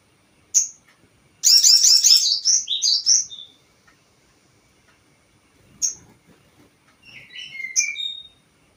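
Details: Crested jay sound used as a lure to provoke other birds: a short high note, then a loud two-second burst of rapid, rolling chattering notes. After a pause come a single high note and some softer, falling whistled phrases.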